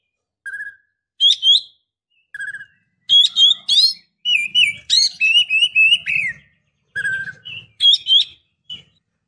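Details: Female Oriental magpie-robin calling the male for excitement, singing or mating: low flat whistles alternating with bright rising notes and a dense run of chattering phrases, a faint low rumble beneath.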